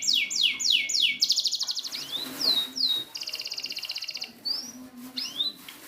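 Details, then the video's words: Canary song used as a training recording for canaries that have stopped singing; high, fast trills, repeated downward-sweeping whistles and long buzzy rolls follow one another in quick, varied phrases. "Masteran burung kenari macet"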